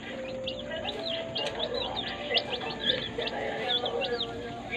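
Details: Healthy day-old chicks kept in a brooder: sharp, high, downward-sliding peeps repeated rapidly, several birds at once, with a faint steady hum beneath.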